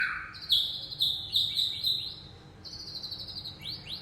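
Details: Young wild-caught white-rumped shama (murai aceh) singing: a low slurred opening, then bright high whistled notes repeated about twice a second, with short rising sweeps at the end.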